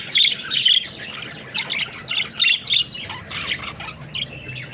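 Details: Flock of pet budgerigars playing in their cage, giving bursts of bright squawky chirps and warbling chatter, several short calls overlapping in quick succession.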